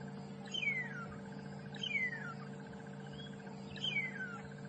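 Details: Woodland kingfisher joining other birds during a morning safari drive at Djuma Game Reserve on 9 February 2015: three clear, descending whistled notes roughly every one and a half seconds over a steady low engine hum.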